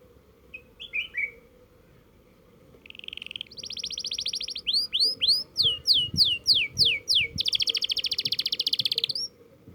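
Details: Canary learning to roll: short chirps, then a buzzy steady trill, a run of about ten sweeping whistled notes falling in pitch, and a fast dense rolled trill to the end; low background hum.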